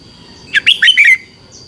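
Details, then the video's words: Song of a red-whiskered bulbul from Thailand, played so caged birds copy it or become excited: a single quick phrase of four jumbled, slurred whistles lasting about half a second. "เสียงนกกรงหัวจุก สำหรับต่อ หรือ เปิดให้นกคึก เสียงเพราะๆ"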